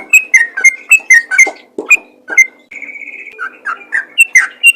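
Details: Sooty-headed bulbul singing 'ropel' style to encourage other bulbuls; quick whistled notes tumble up and down, break into a brief sustained whistle with soft chatter, then lively notes return.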